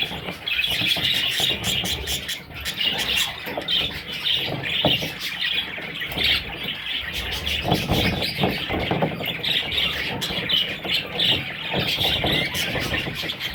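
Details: Young parrots, a group of babies, keep up a busy high-pitched twittering, bursts of rapid chirps rising and falling in loudness over a background of rustling and low knocks.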